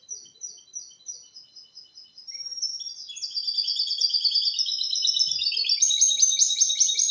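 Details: A goldfinch-canary mule sings a clean, error-free Malaga-style song, used to train males and young birds: a bright, high, tinkling run of rapid twittered phrases and rolling trills.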